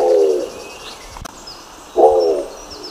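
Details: Nicobar pigeon uttering two short, low, throaty calls about two seconds apart, each roughly half a second long with a rough harmonic tone; a brief click between them and a faint high chirp in the background.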